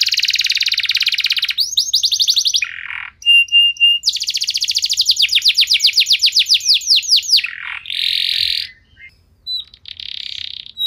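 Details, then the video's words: Canary in full 'nembak' lure song to trigger others to sing: a fast buzzing trill, a harsh rasp, clipped chirps, then a long series of ringing down-slurred notes that gradually slows, ending in buzzy bursts. "Kenari Anda Bisa Gacor Seketika Dengar Pancingan Kenari Nembak Joss Ini"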